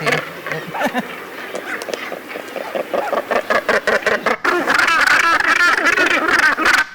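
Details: A dense Northern Gannet colony (gannetry) by the ocean, where birds recognise the calls of young, mates and neighbours. Harsh, guttural clacking calls come several a second, overlapping into a loud roar, with a brief voice at the start.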